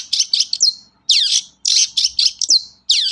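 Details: Lure song of a long-tailed shrike, used in Indonesia to prompt reluctant shrikes to sing: short clusters of scratchy high notes ending in a falling slurred whistle, repeated about every half second.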